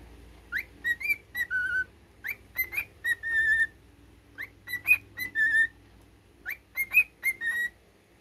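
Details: Pet cockatiel whistling its learned military song in clear pure notes, rising slurs followed by held level tones, the phrase repeated three times with short gaps between.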